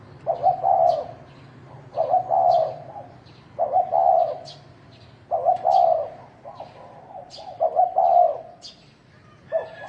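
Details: Wild field spotted dove giving fighting calls: short, hoarse two-part coo phrases, each about a second long, repeated roughly every one and a half seconds, with faint brief higher chirps in the background.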